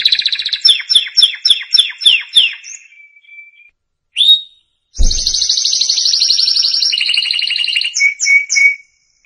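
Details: Song for teaching young canaries: a canary repeats descending swooping notes, holds a thin whistle, pauses, gives one rising note, then a dense fast trill after a brief low thump, ending in clipped whistles.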